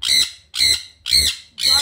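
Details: Pet sun conure screaming constantly: four loud, grating squawks, evenly spaced about half a second apart, each harsh and buzzy.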